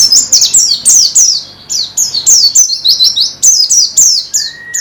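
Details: A white-eye (pleci) repeats bright, high downslurred notes in quick, fairly even bursts, from a recording meant to make birds sing more; a lower drawn-out whistle closes the clip.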